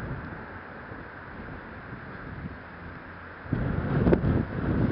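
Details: Steady wind rumble on an open marsh, with rougher, louder gusts buffeting the microphone in the last second and a half; no animal calls.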